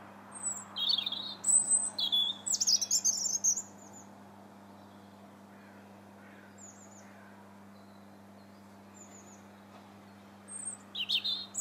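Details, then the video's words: European robin heard from a bridge in Bath's Linear Park in January, delivering short bursts of high liquid twittering and thin whistles, long silent gaps between phrases, low steady hum beneath. "Still the Robin Sings"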